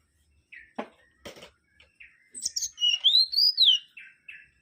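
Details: Mangrove whistler (Pachycephala grisola) singing: a few scattered chips and short buzzy notes, then a loud, pure whistled phrase that rises and falls in a smooth arc, followed by softer trailing notes.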